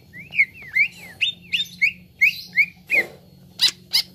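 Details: Grey-throated leafbird song for training birds to sing: a run of about ten short rising-and-falling whistled notes, roughly three per second, then sharper high chips, over a low background hum.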